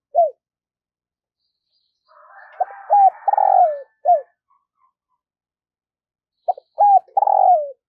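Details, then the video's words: Decoy spotted dove trained daily to coo for luring wild doves: short mid-pitched coos and a longer rolling coo in two bursts separated by silence, with a faint buzzy sound between them. "Luyện Giọng Chim Cu Gáy Mồi Mỗi Ngày"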